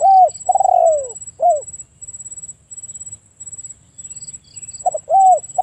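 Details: Spotted dove calling: an arched coo, a long falling coo and a short arched note, then silence before another phrase begins, with a persistent high insect-like whine.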